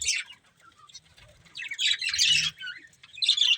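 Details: Budgerigars from a breeding pair produce short bursts of scratchy chirping separated by near-silent gaps, three main phrases over a few seconds, with a faint low rumble.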